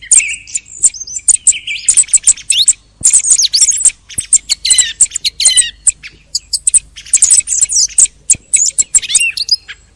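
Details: Thrush song from the end of the hunting season: busy, chattering phrases of high squeaks and clicks, with several rising and falling whistled slurs and a brief gap near the middle.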